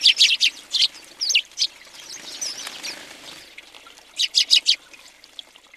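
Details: Many house sparrows feeding together at a feeder in Recke, Germany, in January 2020; loud, rapid bursts of sharp, repeated chirps open the recording, a quieter stretch follows, then another quick run of five chirps.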